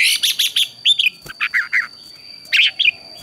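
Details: Morning competition song of a red-whiskered bulbul being trained: a rapid string of sharp chirps, then lower slurred whistles in short spaced phrases, ending with two bright notes, over a faint continuous high-pitched tone.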